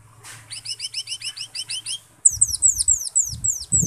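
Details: Cucak keling, or Asian glossy starling, singing as a lure to prompt singing. A rhythmic series of rising high chirps, then louder downslurred whistled notes repeated quickly. A low background hum and bumps are heard.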